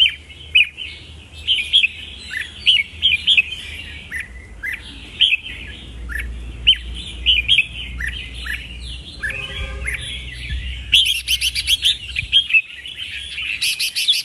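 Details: Red-whiskered bulbul singing loud, bright whistled phrases in short bursts, rich warbling notes repeated with brief pauses, a sharp higher chattering burst near the end.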